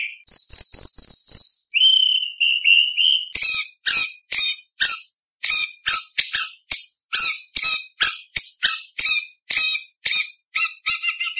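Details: Contest-style white-rumped shama song packed with imitations: a brief high warble and short whistled trill, then sharp squeaky notes repeated about twice a second in a fast, uneven series.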